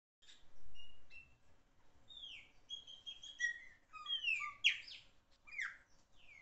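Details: Chopi blackbird, a loud singer, giving a varied phrase of clear slurred whistles, rising and falling, with short sharp notes and a brief harsh burst near the end, over soft low background rumble.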